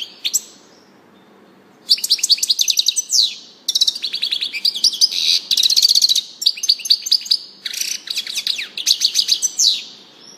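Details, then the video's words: European goldfinch singing a fast, tinkling twitter of high liquid notes mixed with buzzy trills, in bursts of one to two seconds with short pauses. "singing canary chardonneret song saka kuşu sesi"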